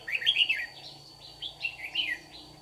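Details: Red-whiskered bulbul used as a lure bird, singing in contest at morning trapping in Đồng Nai, Vietnam, 26 June 2019; loud, rapid, slurred whistled notes in two close bursts, a faint steady whine behind.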